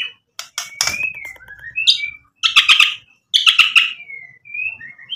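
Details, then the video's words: White-rumped shama singing to provoke other birds to answer, a varied phrase of sharp clicks and chattering bursts broken by sliding clear whistles near the top, loud bursts separated by short pauses. "MURAI BATU GACOR bikin EMOSI Langsung NYAUT BUNYI BONGKAR MATERI ISIAN ampuh buat PANCINGAN"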